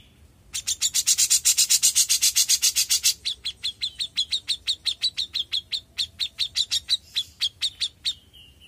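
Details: A young grey-cheeked bulbul sings a long, steady string of rapid notes, about two per second overall. It begins with loud buzzy rasps and shifts to cleaner sharp chips. The song ends with a brief thin whistle.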